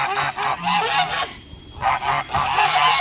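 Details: Blue Kholmogory gander hatched in 2016, farm recording from 21 August 2018, with strong brassy honks in a rapid series, a brief lull midway, then another burst of calls.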